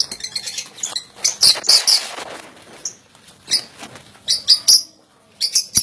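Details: Lovebirds in a fancy bird collection: sharp, shrill high chirps and squeaks in irregular clusters, several overlapping, with rustling and fluttering noises between them.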